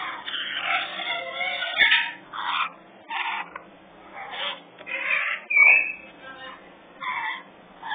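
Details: Three young African grey parrots at a parrot rescue utter harsh, breathy squawks in separate bursts of about half a second, roughly a dozen over several seconds, with brief quiet gaps between.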